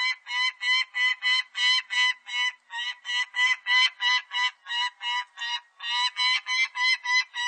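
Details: Peregrine falcon from a 2020 Korean national biological resources recording: a rapid series of harsh, nasal kek notes, about three per second, with rich harmonics, in two runs separated by a brief pause. No other sounds are heard.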